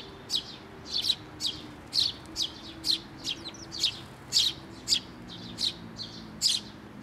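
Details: Sparrows and newly fledged young arriving to be fed on a bridge over water at a shrine, 11 May 2024; a steady string of shrill, high chirps about twice a second, a faint low hum beneath.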